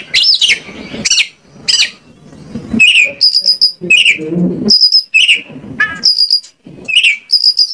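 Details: Oriental magpie-robin song from Indonesia used as a lure to trigger singing: rough sweeping notes at first, then a run of clear high whistles each followed by a quick downward slur, with faint low noise underneath.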